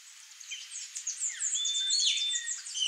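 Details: Female blue dacnis giving thin, high, sharp chips in a quick jumble, with a short steady whistle midway; other high bird calls overlap.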